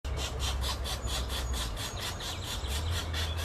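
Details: Pileated woodpecker (Dryocopus pileatus) nestlings begging as parents feed them: a harsh, rasping buzz pulsed about five times a second, steady throughout, over a low rumble of wind.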